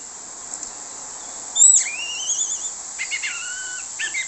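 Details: Orange-headed thrush song used as a lure for other thrushes, with clear whistled notes. A sharp note gives way to long wavering high whistles, followed by shorter looping whistled phrases against a steady high hiss.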